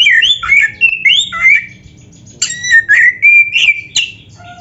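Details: Oriental magpie-robin in lively full song with varied imitations, meant to rouse kept magpie-robins into answering: rapid whistled phrases, sweeping up and down and slurred, broken by short pauses, with a faint low hum underneath.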